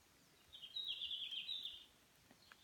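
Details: Red-flanked Bluetail singing on 1 June 2017 at Shiga Highlands, Nagano, Japan: one brief, high warbled phrase of about a second, dipping and twittering, over a quiet outdoor background.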